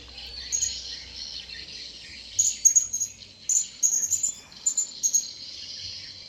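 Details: Wild blue-crowned hanging parrot approaching: short, very high, thin chirps in loose clusters in the second half, over a steady hissing background.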